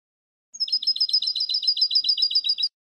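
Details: European goldfinch tutor song, 'eco' style without terminations or finishing flourishes. A steady run of about sixteen high, evenly spaced repeated notes lasts around two seconds against a silent background.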